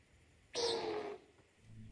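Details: A male Common Nighthawk's breeding-season wing boom, heard in the mountains at night: one sudden, hollow, roaring whoosh lasting about half a second, then fading, followed by a quiet low hum.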